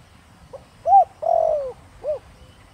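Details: Single spotted dove phrase in the Thổ Đồng voice, aimed at luring wild doves. A soft opening note, an arched coo, a drawn-out quavering note curving down, and a short final coo.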